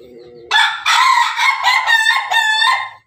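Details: Pelung chicken, a kept bird, recorded 17 May 2024: a short low note, then a loud, rich crow of about two and a half seconds broken into rapid rhythmic pulses, a cackling laughing style.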